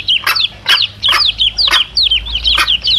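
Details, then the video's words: Chicks and mother hen, played to attract wild male junglefowl: clear, high whistled peeps that rise then drop, spaced out, with a few sharp clicking pulses between them. "SUARA ANAK AYAM DAN INDUK NYA"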